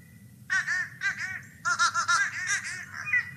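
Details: Fish crow (Corvus ossifragus) gives short, nasal, higher-pitched caws in quick pairs and runs, less harsh than an American crow's, over a faint low hum.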